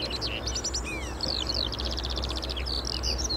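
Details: Skylark pouring out a continuous, fast, high warbling song of twittering notes, slurred whistles and rapid ticking runs, against a constant low roar of road traffic.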